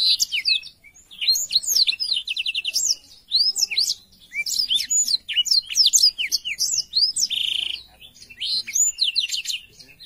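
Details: Black-throated canary delivering a continuous, varied chirping song, fast twitters and short rattling trills, with a drawn-out buzzy note near the end.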